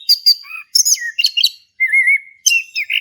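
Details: Caged male orange-headed thrush, Indonesia, singing ngeplong to spur a quiet bird: sharp high chips, then a descending whistled slur, a steady wavering whistle and a final burst of mixed notes.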